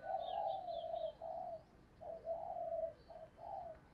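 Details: Decoy spotted dove cooing to urge on and lure wild doves: low, mellow coo phrases in three bursts over four seconds, each a string of soft linked notes with short gaps between, faint higher overtones above a quiet background.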